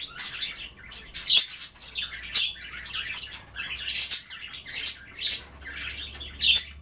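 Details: Pet budgerigars indoors nibbling kale and water at bath time, chattering busily; rhythmic sharp chirps roughly every second over constant buzzy, scratchy warbling, with a faint low hum beneath.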